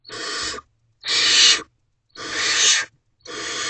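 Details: Evening nest-box recording of young barn owls as a parent brings food, 30 April 2023. Four long, rasping hisses, each lasting about half a second, are separated by brief silences.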